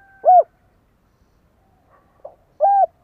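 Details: Decoy spotted dove calling to draw wild doves: one arched coo, a faint soft note after a pause, then another clear rounded coo, all low and mellow in a quiet place.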